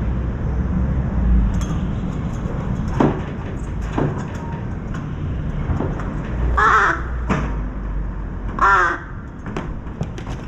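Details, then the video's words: A crow's calls come from afar and draw closer as it arrives at a feeding spot in rain with a parent and a large juvenile born May 2024 that begs "kaa-kaa" for food: two harsh, nasal caws over low rumbling, with fainter distant calls before. "까마귀 멀리 울음소리 가까워지며 입장"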